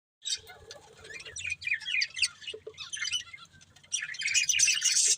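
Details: Budgerigars, a family of pet budgies, chirping in quick high warbled bursts with brief gaps, sometimes two or more birds at once, a faint low hum underneath.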